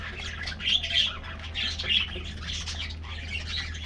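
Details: Colorful budgies in an aviary with their morning treat, chirpy warbling notes rising in short bursts about once a second, over a steady low mechanical hum.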